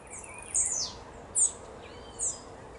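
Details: Blue-black grassquit (Volatinia jacarina), song.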